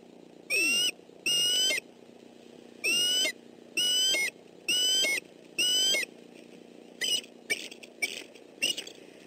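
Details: Bald eagle defending its nest against an approaching intruder in southwest Florida on December 28, 2013: high, squeaky piping notes in spaced bursts, then quicker, choppier shorter calls at the end.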